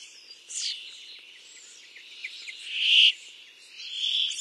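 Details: A Brambling, from a recording of male and female calls and song, gives three harsh, buzzy, nasal notes spaced over a few seconds, the middle one loudest, over a steady high insect-like hiss.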